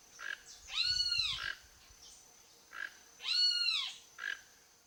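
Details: Wild toco toucan visiting a backyard in search of food; two drawn-out, arched, harmonic-rich calls about two and a half seconds apart, each framed by shorter clipped notes, over a faint steady background hum.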